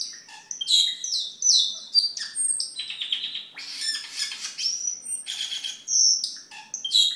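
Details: Lively cucak keling song for tutoring caged birds and luring: a medley of shrill whistles, buzzy rattles and quick chirps, changing note type every second or so without pause.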